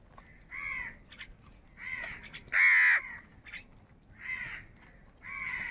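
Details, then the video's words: Crows fighting over food, giving harsh arched caws about once a second, one much louder and shriller cry near the middle, over a low background hiss. "Crow bird Fight for Food | Different kauwa ki awaz"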